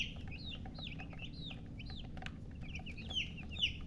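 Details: Baby chicks of a hen chirping: irregular high peeps, some rising then falling, several birds overlapping, with low background rumble and a couple of louder squeaks near the end.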